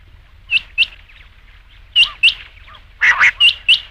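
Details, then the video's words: Rain quail (batair) calling, a recording for night quail hunting: bright clipped double notes, repeated in pairs with short pauses, plus one rougher, fuller burst. "batair ki awaz raat ke liye | rain quail sound"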